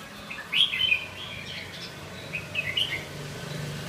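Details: Red-whiskered bulbul, likely a caged bird, giving two short bursts of bright, warbled, slurred notes near the start and again near the end, separated by a quiet pause, over a faint low hum.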